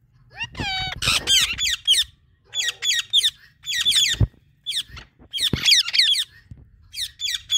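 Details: Talking Indian ringneck parakeet giving dense, scratchy, high-pitched chatter, quick notes tumbling over one another almost without a break, with a few clicks and a low hum behind.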